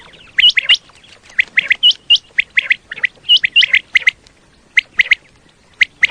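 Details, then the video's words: Common quail calling, a recording used to lure quail for hunting in Pakistan: high, sharp, clipped notes in quick clusters of two or three, some with upward-hooked whistles, separated by short pauses over a quiet background. "Common Quail Call 2025-2026 صوت السمان واضح للصيد Batair Ki Awaz"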